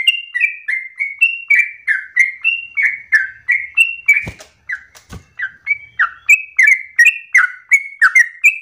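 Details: Nonstop, rapid yellow-vented bulbul song presented as an easy model for young birds: quick repeated whistled notes about three per second, interrupted by two sharp knocks near the middle, then resuming.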